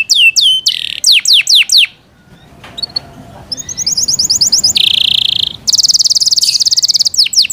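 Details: Pet Yorkshire canary singing downward-slurred notes. After a short pause with quiet room noise, it bursts into rapid trills and dense, buzzy sustained tones.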